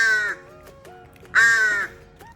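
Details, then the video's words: A young wild crow, about two months old, rescued injured from an alley after a crow fight and now kept indoors with dogs, gives two harsh, nasal caws about a second apart, each rich and slightly falling, with quiet room sounds between. "까마귀 울음소리!!"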